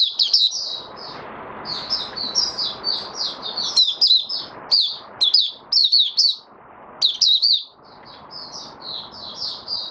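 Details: Opening song of a white-eye, dated 08-01-2022: long, high, busy chattering of quick twitters and sharp notes in short phrases, over a noticeable steady background hiss.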